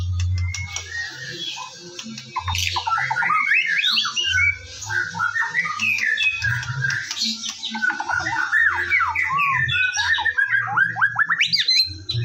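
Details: White-rumped shama in varied morning song, played to bring birds into song: a long stream of quick whistled and slurred notes with chattering bursts, continuous for twelve seconds over a low hum.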